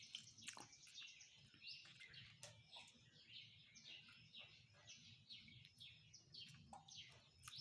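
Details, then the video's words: Several birds singing in the morning, a dense overlapping chorus of quick high chirps, short trills and downslurred whistles, with a steady low rumble of background noise throughout. "Birds are singing in Morning."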